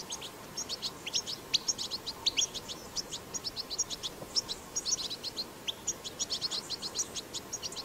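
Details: European goldfinch batbata recorded in the wild, used to stimulate goldfinches to sing: steady, evenly spaced high twitters and sharp chips in quick succession, a few sliding notes mixed in, over a low constant hiss.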